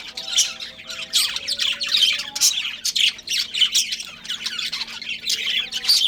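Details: Breeding pair of budgerigars kept as pets, giving rapid busy chirps and harsh squawky notes in uneven bursts, the chatter rising and falling in loudness, a low constant hum faintly behind.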